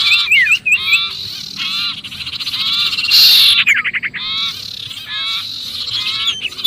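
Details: {'caption': 'Sirpu in noisy distress as if caught, used as a lure for other birds; rapid harsh chatter broken by short gaps, with stacked downward-slurred notes recurring several times per second.'}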